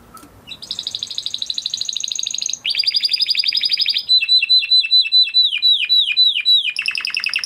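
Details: Captive Spanish Timbrado canary of the crested Huppe type, bred in 2020, performs a training song: a rapid metallic trill, a lower fast rattle, then a series of slurred descending notes repeated about twice a second.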